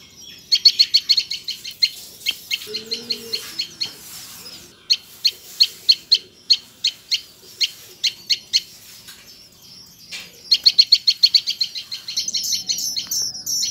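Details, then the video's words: Tailorbird chicks being fed by their parents: bursts of sharp, high chirps repeated in fast runs, with quieter gaps between them and a few softer low notes in the background. "Bird feeding their Babies!!Tailor Bird!!"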